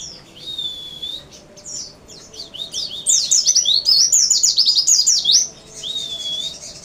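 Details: Singing white-eye (pleci): a thin sliding whistle opens, followed by quieter chirps, then a loud, dense run of fast, high twittering notes, ending with another soft drawn-out whistle.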